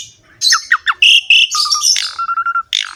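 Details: Asian pied starling singing vigorously in a rich filled-in style: three quick downslurred whistles, harsh squawky bursts, a low trilled phrase, and a run of short even low whistled pips.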